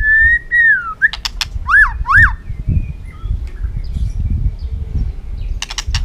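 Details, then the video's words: Excited caged white-rumped shama singing a duelling song to stir rival birds: a sustained whistle gliding down, then two loud upswept notes, with fast clicking taps and a low rumble of movement. "chòe lửa rực lửa đập chạy sàn cầu, hót dụ chim kích lửa hót đấu căng lửa"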